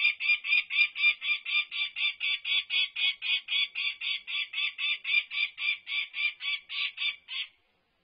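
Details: Peregrine falcon chick at UC Berkeley, 19 May 2024, while two chicks explore outside the nest. It gives a rapid series of harsh, nasal notes, about four per second, some two dozen in a row, then falls silent.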